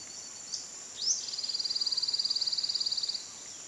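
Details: Tooth-billed wren: a short sharp upslurred note, then a fast, high, level trill of evenly spaced notes running for about two seconds, with steady background hiss.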